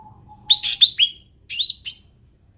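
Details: Endemic cucak ranting bulbul giving two short bursts of bright, slurred whistles that sweep downward, each with a sharp chirped start, after a faint steady hum.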